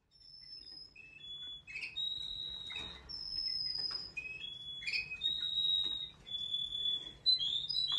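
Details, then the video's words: Waterslager canary singing indoors. Long, pure, high whistled notes held for a second or more, broken by brief gurgling bursts, fairly quiet. "waterslagger type of canary that have special sounds with singing"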